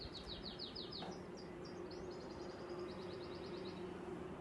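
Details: Canary from Hebron (Al-Khalil) singing quietly: quick series of high, repeated trilled notes, several rapid phrases in a row, over a steady low hum.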